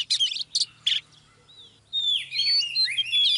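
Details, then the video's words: Oriental magpie-robin, female pulling a male into song: three short harsh chattering bursts, a pause with one thin slurred whistle, then a sustained run of sweet sliding whistled notes. "TRỰC TIẾP chòe than mái KÉO TRỐNG LÊN ĐIỆN"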